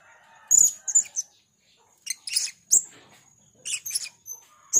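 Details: Blue-crowned hanging parrot, heard as a lure sound, giving bursts of shrill, thin whistled tseet calls and scratchy chirps in short clusters separated by brief silences.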